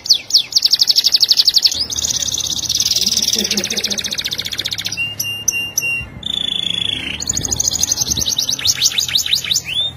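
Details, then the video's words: Tutor song of a canary meant for teaching other canaries: rapid high trills shift between several tempos, with a quieter low murmur in the middle and a brief pause before a final fast rolling phrase. "Buat Masteran Kenari Super Gacor"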